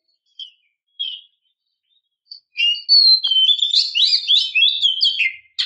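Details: White-rumped shama female calling the male: a few scattered soft high notes, then a long continuous rush of fast, varied warbling whistles and chattering trills lasting about three seconds.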